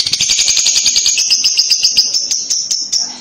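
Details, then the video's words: Lovebird chattering kekek, used to coax a young bird into calling: an unbroken, very fast rattle of high, buzzy pulses, steady throughout and fading slightly at the end. "lovebird paud akan nyaut dengar kekek an labet ini, cara jitu pancing labet paud bunyi"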